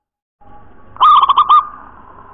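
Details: Local wild-type zebra dove giving a clear, bright cooing phrase in the 'nropel cowong gowong' style: a quick run of about five rolling, bubbly coo notes in one burst, then a quiet background hum.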